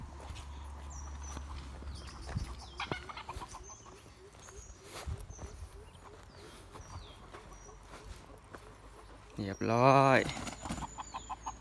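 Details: Red junglefowl at a decoy contest gives one loud, harmonic crow lasting about a second near the end, following scattered quieter calls, with faint high bird whistles and a low rural rumble behind.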